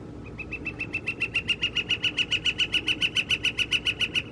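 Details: Northern flicker recorded on April 17, 2021: a steady rapid run of crisp knocks, roughly 3.5 per second, growing louder over four seconds, with a faint low hum behind.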